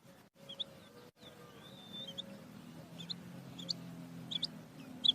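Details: Female quail heard through a low humming background: a few faint thin whistles, then short high chirps repeated about every half second, growing louder toward the end.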